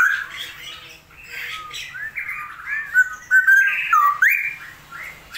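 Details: Straw-headed bulbul (Pycnonotus zeylanicus) singing rich, bubbling fluty phrases with loud slurred whistles, building from a softer chattering start, over faint background chatter; the owner says the still-rainy season holds back its song.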